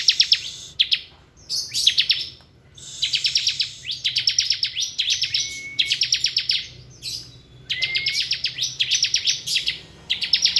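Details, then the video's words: Ngebren-style song of a bar-winged prinia: continuous rapid strings of high, sharp, downslurred chirps in dense bursts with short gaps, plus occasional thin upward whistles between phrases. "Suara kicau ciblek ngebren"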